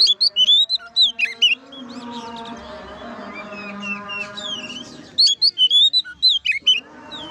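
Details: An oriental magpie-robin's ngeplong song, played to rouse other magpie-robins into singing: rapid chirping, twisting whistles in two bouts, with a steady droning tone filling the pause between them.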